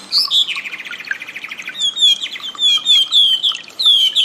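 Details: Wambi in master audio meant to enrich cage-bird song: a high note, then a rapid buzzy trill, then a series of bright descending whistles repeated about every half second.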